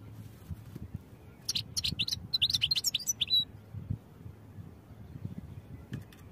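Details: European goldfinch singing for training, a lively run of rapid, high, clicking twitters and liquid chirps lasting about two seconds, then a brief, faint call near the end over a low steady hum.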